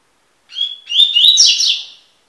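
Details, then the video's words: A single "tui tui" style phrase from a double-collared seedeater, taken from a song-tutoring recording. A thin, steady whistle breaks briefly, then turns into a fast, buzzy warble that rises and falls before fading. Nothing else is heard. "coleiro tui tui cantando"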